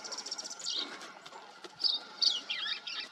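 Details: Green-tailed towhee, a brush-foraging sparrow of Texas and New Mexico, delivering several short, bright, jumbled phrases of high chirps and buzzy trills, mostly with gaps of a fraction of a second. A faint steady hum runs underneath.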